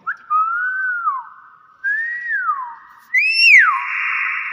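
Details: Kept hill myna, described as clever, giving three loud clear whistles indoors, each a gliding note that rises and then drops, the last higher and ending in a sustained buzzy tone.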